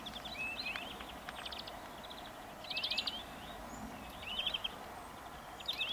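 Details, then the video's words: Greenfinch singing a twittering run of rising whistles and rattling trills, with a longer buzzy trill burst near the middle, against constant outdoor noise. "Viherpeipot laulaa"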